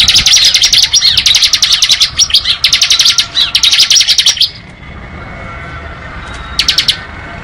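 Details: Ngebren-style song of a bar-winged prinia. Rapid high chattering notes come in bursts for about four seconds, then quiet, then one short trill near the end.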